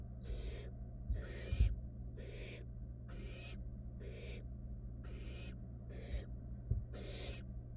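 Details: Eight rasping, wheezy hisses roughly a second apart from wild barn owl nestlings in a nest box, one stealing its sibling's unswallowed rat; quiet knocks and a constant low hum.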